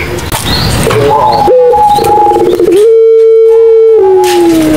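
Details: Madura pelung-style Barbary dove coo, played as a lure to prompt silent doves to call: a buzzy pulsed opening, then a long drawn, steady mid-pitched tone that slowly slides lower at the end.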